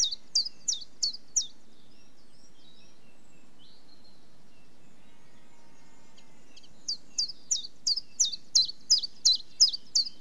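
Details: Common chiffchaff singing: five quick high notes, a pause of several seconds with only faint distant twitters, then the song resumes with a longer run of about eleven sharp, falling notes.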